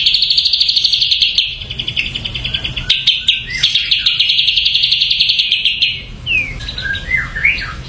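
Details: Ashy drongo song: a long, dense, buzzy high trill of quickly repeated notes lasting about six seconds, ending in several sharp upward and downward slurred whistles.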